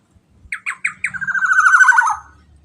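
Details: Black-naped oriole (kepodang emas) singing loudly, recorded as a lure: three short harsh nasal notes, then a fast buzzy rattling run that slides slightly lower and ends abruptly; quiet background.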